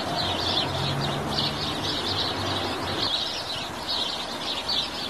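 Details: Busy house sparrow chatter, with rapid bright chirps tumbling over one another in uneven bursts, set against a constant low-pitched background drone.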